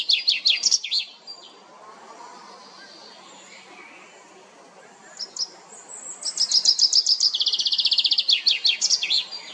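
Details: Common chaffinch singing in La Perle du Lac, Geneva, Switzerland, for territorial defence and mate attraction: the tail of one song opens, a quiet pause with faint calls follows, then a second loud descending trill with a final flourish.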